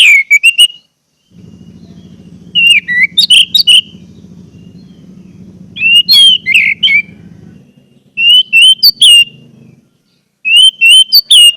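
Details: Orange-headed thrush song used as a lure recording to get silent birds singing: short bursts of clear, varied whistled notes with slurred rising and falling phrases, separated by pauses, over a steady low droning hum in the middle section.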